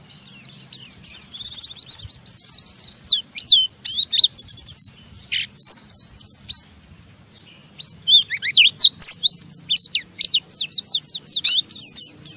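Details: Oriental white-eye in a cage, chattering roughly in the ngeriwik style used to stir other white-eyes to sing; buzzy high trills and sweeping whistles, a brief pause, then a rapid run of sharp downslurred chirps.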